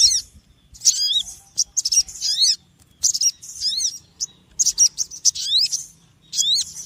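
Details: High-pitched chattering chirps from a small noisy bird, short clustered bursts of slurred, downward-sweeping notes with irregular gaps and a faint low rumble behind.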